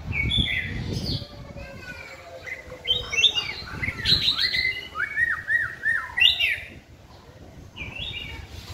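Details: White-rumped shama in song while being trained, caged and hung on a pole: rich, fast run of whistled, chattering and looping notes, varying in pitch, with brief pauses and some low background noise.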